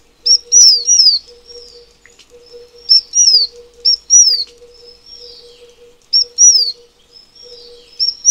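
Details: High-pitched whistled phrases from a Taiwan fulvetta repeat about every three seconds. Each is a brief sharp note followed by one or two downward-slurred whistles, with thin quieter notes between and a steady low hum underneath.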